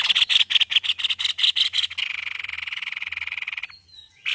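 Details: White-necked babbler in intense song: a run of loud, harsh, rasping notes merges into a continuous rapid buzzing trill, which stops before one last harsh note.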